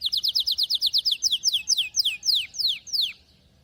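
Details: Canary song made of a steady run of clear downward-slurred whistled notes, at first rapid, then slowing and lengthening toward the end.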